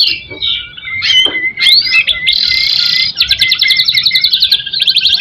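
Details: White-rumped shama in vigorous song, used as a lure to stir other shamas: varied high whistles, a long steady whistled note, buzzy bursts, then fast rattling repeated trills, with no other clear sounds.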